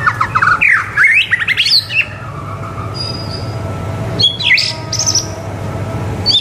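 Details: White-rumped shama singing as a tutor for young birds: quick rising whistled phrases and sharp slurred notes, a pause, then bright high whistles and clipped chirps, with a low steady hum underneath.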